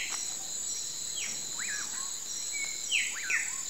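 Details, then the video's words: Evening pauraque song: two or three whistles climb steeply, fall, and trail off in a flat tail. Other birds add short chirps, and insects buzz steadily in the background. "PÔR DO SOL AO CANTO DO BACURAU"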